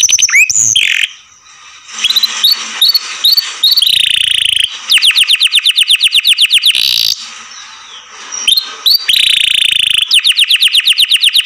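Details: Loud canary song from a bird kept in care: varied phrases of rising whistles, buzzy churrs and rapid sweeping trills, broken by short pauses.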